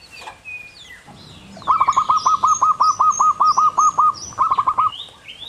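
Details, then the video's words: Wild local zebra dove giving its long, clear 'kung' song: a rapid run of about twelve soft, hollow, rolling coos, a short pause, then three more, while small birds chirp high and thin behind. "Burung perkutut lokal alam liar asli gacor suara kung panjang jernih"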